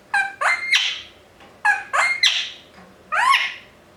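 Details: A pet rose-ringed parakeet kept indoors gives loud, harsh, screechy squawks in paired bursts, roughly three groups over four seconds, each call rising and grating, in an otherwise quiet room.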